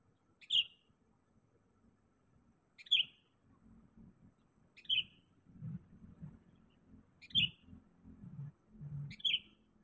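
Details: A Sooty-headed bulbul, a lure bird calling for a rival, gives short, bright single notes every two seconds or so, over a low rumble and a faint high steady hiss.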